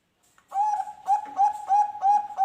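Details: Bangkok-type zebra dove used as a lure for other doves; after brief silence, a run of soft, clear coos about three per second, each slightly rising then falling.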